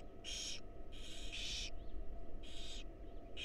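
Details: Barn owl chicks in a wild nest box at feeding time, producing rasping, hissing snores of roughly half a second, four bursts with short pauses and faint thin squeaks between them, low hum underneath.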